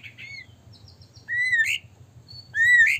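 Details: White-rumped shama song meant to provoke other shamas to sing: clear whistled phrases, a short wavering note, then two rising slurred whistles ending in a sharp higher flourish, over a low background hum.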